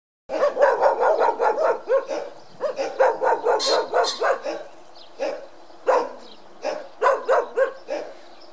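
Common pheasant giving harsh, hoarse notes in quick runs of five to eight, then louder single notes spaced by pauses.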